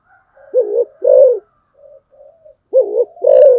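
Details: Decoy spotted dove delivering two mellow double coos, short then long, with quieter soft notes and a thin whistle between them.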